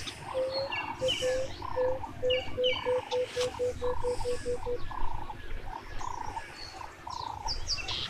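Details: Male buff-crested bustard courting a female in Tsavo East NP, Kenya; call possibly added from Xeno-canto recordings: about thirteen short, mid-pitched tonal notes speeding up slightly over four seconds, other birds and low rumble throughout.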